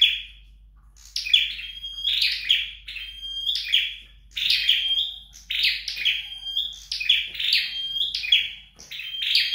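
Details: Flowerpecker practising at home after a short quiet start: a steady series of high, buzzy chirp bursts, each tipped with a brief pure whistle, about one per second.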